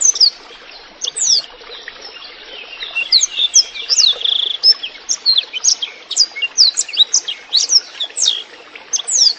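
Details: Clear-voiced, constantly singing Black-throated canary for training and prompting songbirds, over trickling water: a long, fast run of high downward-slurred whistles and chips, a sustained buzzy note midway, then dense twittering to the end.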